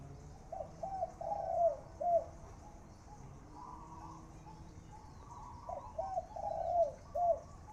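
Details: A captive spotted dove kept as a main decoy bird in Thailand coos on a dark, overcast Saturday morning: two soft, hollow phrases of four or five notes, the longest rolling and dipping, over a faint hiss.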